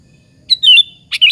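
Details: Sooty-headed bulbul lure song provoking other bulbuls to answer; a clear falling warbled phrase followed quickly by a second burst beginning with a sharp chip and rising into a bubbly note.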